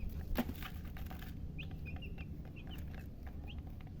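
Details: A handful of short high peeps from chicken chicks, scattered across the second half, over a noisy rumbling background with a brief rustle at the start.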